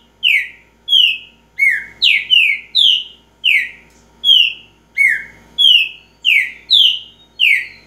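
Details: Repeating song of a green-winged saltator, a run of bright descending whistles, some paired closely, roughly one and a half per second over several seconds, over a quiet background.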